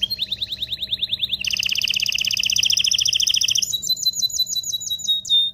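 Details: Mating-stimulation canary song, a fast rolling trill that jumps to a higher, louder buzzy roll, then shifts into crisp repeated high whistled notes.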